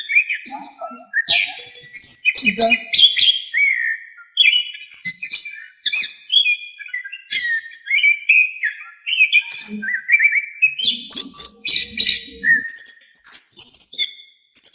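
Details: Orange-headed thrush, known locally as anis kembang, in full varied song used as a master recording for training songbirds: rich whistled phrases sliding up and down, mixed with slurred notes and clicks, continuous throughout.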